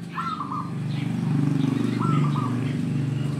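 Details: [4, 'Zebra dove (perkutut) cooing, used to lure wild zebra doves for trapping: two rolling three-part phrases about two seconds apart over a steady loud engine rumble.']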